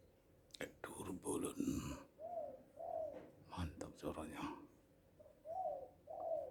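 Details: Spotted dove calling loudly and happily, its soft, rounded coos repeated in pairs around bursts of human speech near the start and middle.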